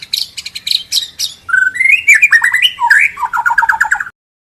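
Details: White-rumped shama lure song for training a bird to sing out its mimicked phrases: rapid high chips and trills, then rising and falling whistled notes and a quick run of repeated short notes before stopping abruptly.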